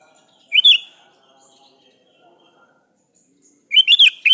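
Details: A sooty-headed bulbul calls to a rival with a brief bubbly whistled phrase, then after a three-second pause a quicker run of three or four liquid notes, with a constant thin high hiss behind.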